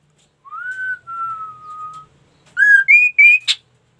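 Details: Ashy tailorbird singing actively: an arched whistle runs into a long level tone, followed by three bright notes stepping upward and a short buzzy burst.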